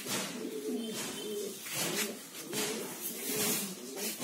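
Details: Mukhi fancy pigeons giving low, wavering coos in short phrases about a second apart, under bursts of hissing, rustling noise.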